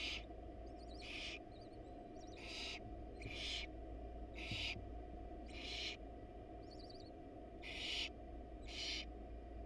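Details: Wild barn owls at a nest box during a rat delivery by the male, female away; paired harsh hisses come in bursts with short gaps, plus soft trilling chitters, against continuous low-frequency hum.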